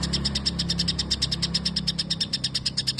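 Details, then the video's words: Isian gereja of a white-rumped shama, mimicked sparrow phrases: rhythmic high chips about three per second over a noticeable low mechanical hum. "Cungko isian gereja panjang"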